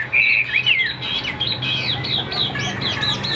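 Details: Captive Chinese hwamei in late afternoon, not yet singing at full strength: a quick run of varied slurred whistles, some rising and some falling, with a few harsher squawky notes and a faint low hum behind. Chinese hwamei.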